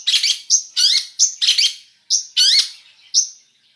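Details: Cendet, the long-tailed shrike, singing a mixed fill song. Loud, twangy slurred whistles and short high piping notes come in uneven clusters, then trail off toward the end.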